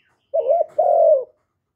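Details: Spotted dove of Vietnam, recorded clean at close range: a single coo phrase made of a short undulating note and then a longer, slowly falling hoarse coo.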